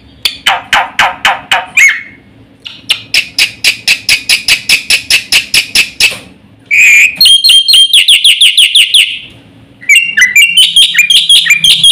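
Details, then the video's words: Black-winged starling singing fast, a full fill-in song used to prompt and tutor other birds: long rattling series of rapid even pulses, a short clear whistle, then loud rapid ringing chirps in bursts, ending with varied bright notes. "suara burung jalak putih GACOR FULL ISIAN paling cepat untuk PANCINGAN dan MASTERAN"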